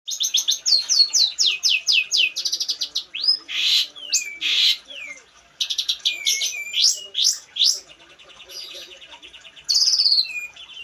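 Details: Long-tailed shrike from East Java in lively full song: a fast run of high, sharp repeated notes, then harsh buzzy sweeps and chattering mixed phrases, a short pause, and a final burst of high piercing notes.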